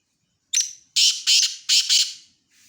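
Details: Black francolin calling: a short sharp opening note, then four loud, harsh, grating notes in two quick pairs. The whole phrase lasts under two seconds, with silence around it.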